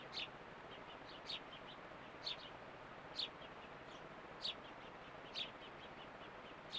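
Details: A fledgling house sparrow exploring a garden with a bird bath in Calgary, Alberta, Canada gives sharp, high chirps about once a second, with softer chirps in between, over a steady background hiss.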